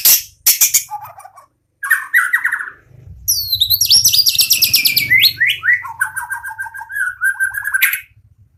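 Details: White-rumped shama, a caged farm bird from a national-champion bloodline, singing vigorously: sharp high whistles, short descending trills, then a long buzzy rattling series sliding down into repeated mid-pitched chattering notes.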